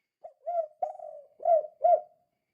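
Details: Spotted dove 'kuk 2' calling, used as a lure to get other doves calling: a short soft note, a swelling coo, a long wavering fading coo, then two strong rounded coos. Clean background.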